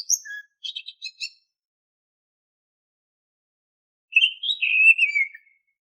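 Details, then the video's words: Oriental magpie-robin (kacer) song used as a lure for caged birds: quick high twittering notes at the start, a pause of nearly three seconds, then a fluent whistled phrase that rises and falls away. Background is silent. "Suara Siulan KHAS Burung KACER, AMPUH untuk Pancingan kacer BAHAN agar GACOR"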